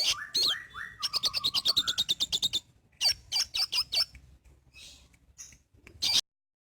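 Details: Sogon (crested jay) singing actively. Opens with falling whistled notes, then a fast dry rattle of sharp clicks, a pause, a shorter rattle burst, and scattered high chips.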